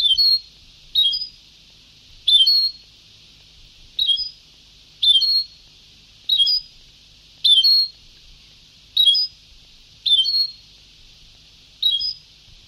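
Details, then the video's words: Old recording of European goldfinch song: short bright twittering phrases around high pitch, repeated roughly every second with brief silent gaps, clean background. "Canto del jilguero antiguo"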